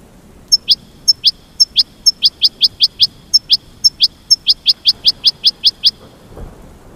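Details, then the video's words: Goldfinch repeating crisp high chirps, several per second in loose groups, clear against a quiet background. "The Enchanting Goldfinch Song"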